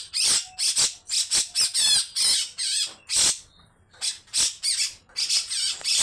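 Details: Harsh, long 'besetan' series from a grey-cheeked bulbul. Clipped, grating squawks come in quick groups, broken by a short silent gap, then resume just as rough.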